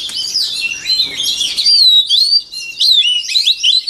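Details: White-rumped shama singing, used for voice training of songbirds: loud, clear whistled phrases sweeping and rising between mid and high pitch, with buzzy notes at first, then ringing slurred whistles separated by short pauses.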